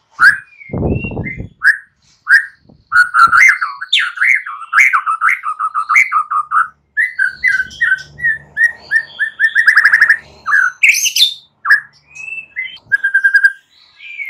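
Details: White-rumped shama in full morning song, meant to trigger silent birds into responding: a long, rich stream of varied whistles, rapid trills and chattering notes, with a brief rustling noise near the start.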